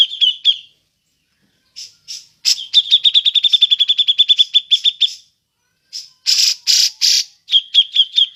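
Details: Cucak jenggot (grey-cheeked bulbul) ngepik call for luring other birds: a few sharp notes, a pause, then a long even string of about twenty clipped 'pik' notes, followed by loud harsh buzzy bursts and more pik notes.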